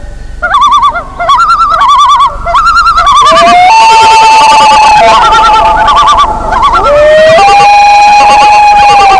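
Loon calls: fast quavering, tremolo-like notes at first, then long, steady, mournful wails that step up and down. Several rich, layered voices overlap.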